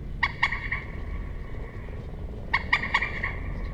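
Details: Common moorhen giving two bursts of loud, abrupt clucks, three or four harsh notes in each, the bursts a little over two seconds apart, with low background noise.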